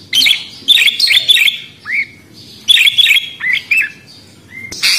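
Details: Budgerigar calling: bursts of squeaky chirps and warbled notes in two clusters, with single drawn-out rising whistles between them.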